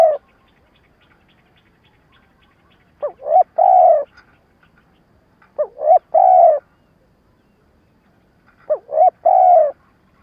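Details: Lure spotted dove calling in a stuttering coo pattern meant to provoke wild doves. Three phrases, each two quick rising coos and a longer mellow hoot, spaced roughly three seconds apart with quiet between.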